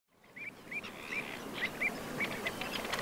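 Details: Pied avocet, with a juvenile noted, at the edge of the Suscinio marsh, Morbihan, on 23 June 2022, gives clear, short, upslurred 'kluit' notes, about three per second, over a steady hiss of wind or water.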